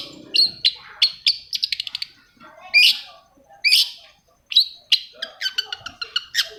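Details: Long-tailed shrike song played to make other shrikes sing: rapid dry clicking runs, loud rasping upswept notes and sharp whistles in quick, uneven phrases against a quiet background.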